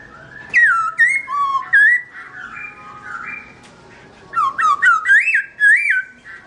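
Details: Garrulax chinensis, the black-throated laughingthrush, singing with its owner away. Bright ringing whistles come in two bursts of four to five notes, each swooping up then down, with quieter level whistles in between.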